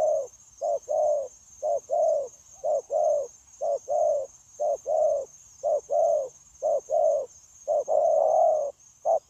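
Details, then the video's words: Caged wild-caught spotted dove used to trap others, recorded 9 January 2024 cooing without pause in the 'gù' style: a long string of low short-and-long coo pairs, each about a second apart, over a steady high whine. "Bổi Quá Chịu Gù | Nết gù liền lạc liên tục"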